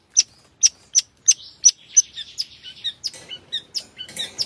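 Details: Active long-tailed shrike with rich fill-in song: five sharp evenly spaced high chips, then a softer warbling run of slurred whistles and scratchy notes, ending in brisk chatter.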